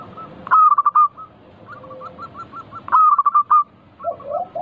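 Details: Zebra dove of local type, used as a lure to set other doves singing: two bursts of accented cooing notes, each fading into a string of faint, evenly spaced coos, with a low rolling coo at the end.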